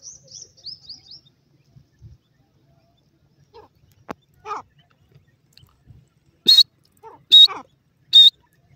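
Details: Grey francolin chicks in forest, calling: three loud, sharp high peeps about 0.8 seconds apart near the end, after a quiet stretch with faint soft chirps and rustles.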